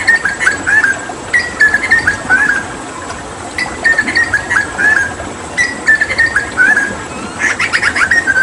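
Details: Hooded butcherbird (Cracticus cassicus), endemic to Papua and a noted mimic, receiving water therapy; repeated phrases of bright whistled notes, some falling, broken by short pauses, with a burst of harsher chatter at the close.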